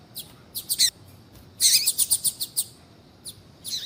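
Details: Calling female double-collared seedeater, used to stir a male to sing; quick high chirps, then a dense burst of sharp repeated notes, followed by a pause and a final slurred chirp.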